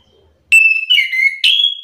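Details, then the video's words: Provoked orange-headed thrush (anis kembang) exchanging song with another bird. Three clear whistled notes: a steady first note, a second sliding downward, and a higher, stronger final note. "Anis kembang mu langsung terpancing emosi ikut bunyi sahut sahutan"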